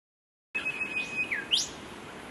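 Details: A golden whistler in the wild holds one clear, steady whistle, slurs it downward, then snaps into a sharp whip-like upsweep, over faint background hiss.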